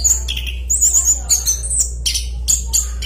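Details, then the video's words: A short burst of orange-headed thrush roll song: thin, very high whistles and harsh, squawky bursts in quick succession, with a faint low background hum. "Suara Burung Anis Kembang Gacor Kicauan Roll Panjang Ngeplong Kencang"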